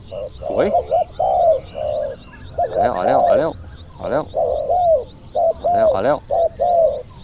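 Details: Spotted doves cooing as a wild bird comes down near the decoy: many overlapping low hooted coos, long and short, mixed with excited bursts of a man's voice.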